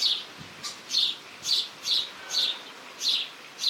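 House Sparrow giving a steady series of short, bright chirps, about two per second, with little else in the background.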